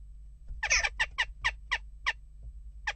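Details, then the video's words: Western jackdaws unsettled at a nest box: a burst of overlapping harsh notes followed by evenly spaced short raspy calls, then one final call after a gap. "Onrust blijft door--kauwen"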